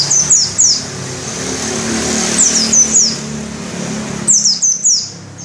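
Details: White-eye (pleci dakun ngalas) singing shrilly with open beak: clusters of high, thin, falling notes at the start, a quieter run midway, then a bright burst of descending notes near the end over a low hum.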